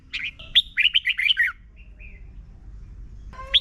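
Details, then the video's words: Red-whiskered bulbul song from Thailand, played every morning so young birds learn to sing quickly and strongly: a rapid burst of bright, warbling, up-and-down notes, then a pause with faint soft notes, and a new phrase starting at the end. "นกกรงหัวจุก - 30 นาทีทุกเช้า เพื่อให้นกเรียนรู้ที่จะพูดได้อย่างรวดเร็วและหนักแน่น"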